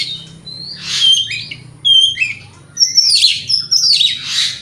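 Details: White-rumped shama singing a morning lure to draw answers from rivals; pure whistled notes sliding up and down mixed with scratchy chattering bursts, varied rapid phrases over a soft low hum.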